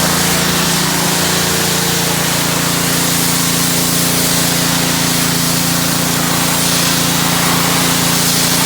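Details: A loud, steady roar from a power sprayer and its engine fills the whole recording.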